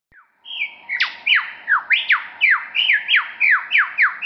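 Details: Wild superb lyrebird at Bungonia State Conservation Area, hidden in scrub a few metres away, imitating other forest birds: a series of loud whistled notes, each sweeping sharply downward, repeated roughly every third of a second.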